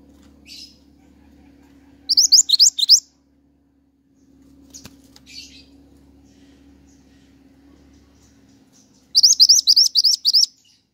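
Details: Pied triller song used as lure and training audio for songbirds: a short run of four rising whistles, a long stretch of low hum and a rustle, then a longer burst of about seven upslurred notes.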